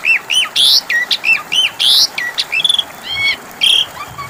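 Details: Asian pied starling singing, used to coax a bird that has stopped singing into answering: bright rising whistles, a few harsh buzzy notes and a quick trill, with short pauses between phrases.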